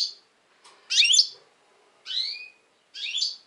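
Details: Tense European goldfinch recorded in 2020 delivering three short, bright twittering bursts with sliding, liquid notes, each about half a second long, separated by brief pauses.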